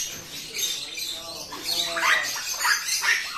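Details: Grey parrot in a fight with an Alexandrine parakeet, giving rasping, noisy squawks and harsh screeches that rise and fall in quick repeated bursts.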